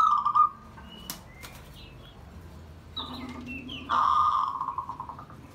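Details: Pet zebra dove calling for bonding and to invite friends: a brief stuttered coo opens, then soft sharp clicks, a lower purring note, and a longer rolling burst of rapid coos near the end, with scattered thin chirps.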